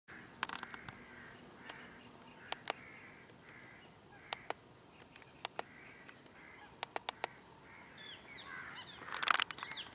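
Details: Taiga flycatcher (Ficedula albicilla) at Keoladeo National Park, Bharatpur, Rajasthan, India, gives sharp, dry tick notes scattered among short, harsh, grating churrs, with a steady hiss of background noise throughout.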